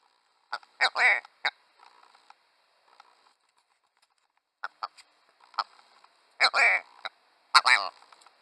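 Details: Willow ptarmigan from the Northern Hemisphere giving harsh, guttural, laughing cackles in rattling bursts a second or two apart, like a crazy chicken cackle.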